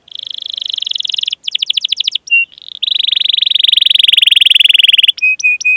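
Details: Training song for young canaries: long buzzy roll, a burst of quick chips, short whistles, another extended roll for over two seconds, then three flat whistled notes.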